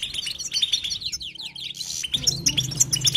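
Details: European goldfinch giving continuous batbata song: quick tinkling twitters, then a run of falling slurred notes, before the bright chatter returns over a low steady hum.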